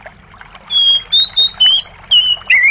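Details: Clear, ringing whistles from a white-rumped shama, a series of about six loud notes that slide and bend in pitch, delivered in fast succession, with trickling water faintly audible underneath.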